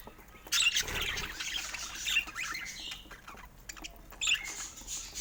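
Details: Pet budgerigars keep up a dense, buzzy high chatter with intermittent sharper squawks, starting after a short quiet moment and continuing throughout.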